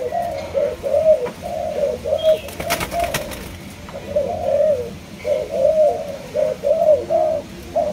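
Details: Kept spotted dove of a Malaysian strain cooing: low, soft hooting phrases of short rounded notes repeated in an uneven rhythm, with a brief burst of clattering noise midway.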